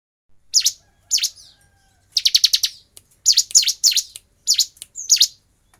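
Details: Bar-winged prinia singing in a fighting style: sharp, high, downward-slurred chirps given singly or in quick rattling bursts of four to six, with short pauses between groups; no other sounds.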